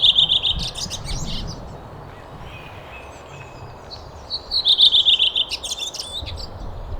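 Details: Waxwings calling: high, thin, buzzy trills repeated in short bursts, with a quieter gap mid-clip before the trilling resumes more strongly over a low background rumble.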